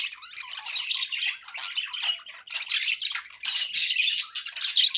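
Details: A flock of pet budgerigars twitters and warbles in quick, irregular bursts, roughly one per second, mixing squeaky chirps, gritty buzzes and brief whistled notes in a lively overlapping babble.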